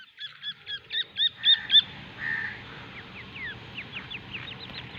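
Partridge chick calls: a quick run of seven hooked, high peeping notes that grow louder, then softer scattered chirps over a faint background hiss.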